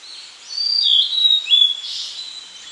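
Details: A blue-and-white flycatcher, which would not perch in a good spot, sings a brief phrase of high, clear whistled notes, sliding slightly up and down, over a soft background hiss.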